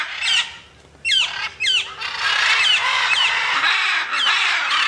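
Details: Free-flying macaws starting with sharp, downslurred squawks about a second apart, then a continuous loud rasping chorus of overlapping harsh calls.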